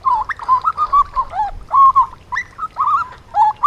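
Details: A juvenile Grey butcherbird sings a rambling string of mellow, warbled phrases, mostly mid-pitched with quick upward and downward slurs, barely pausing.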